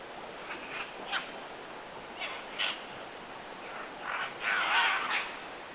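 Scarlet macaws give about eight harsh, raspy squawks at uneven intervals, ending in a louder, longer screech, over a steady background hiss.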